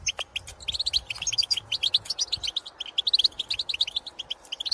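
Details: Wild goldfinches in open country calling to their own species: an almost unbroken series of lively, bouncing chirps and twitters, each note crisp and high, delivered at a rapid, even pace.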